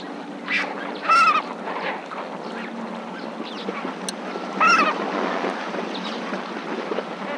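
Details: Flock of lesser flamingos at Marievale: two louder nasal honks stand out about three seconds apart above a constant low babble of many birds calling together.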